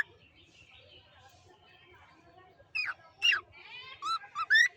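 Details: Cockatiel producing several sharp, rising whistled calls after a stretch of soft background murmuring.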